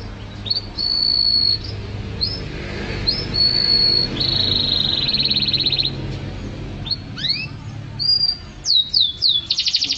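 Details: Canary singing vigorously in a masteran recording meant for tutoring songbirds: high sustained whistled notes, short upswept chirps and a buzzy rapid trill, ending in quick descending sweeps and a dense rattle, over low steady background hum.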